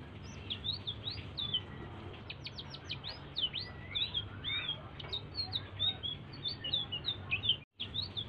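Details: Energetic soft song of a blue-throated bee-eater, meant to prompt other birds to sing: rapid high chirps, sharp upward flicks and long downward swoops that run on continuously, broken by a moment of silence near the end.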